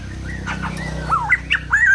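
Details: White-crested laughingthrush at peak song: short, rich whistled phrases that swoop up and down, the last notes clearer and louder, over a steady low hum.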